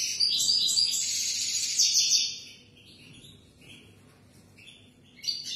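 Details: European goldfinch singing for young birds to learn: a two-second run of fast, jangling, high twitters, then quieter scattered chirps and a final sharp note.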